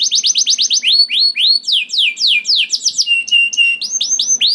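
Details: Canary song for prompting other canaries to sing, opening with a fast trill of repeated notes, then broad descending sweeps, a level whistled pair and rising whistles.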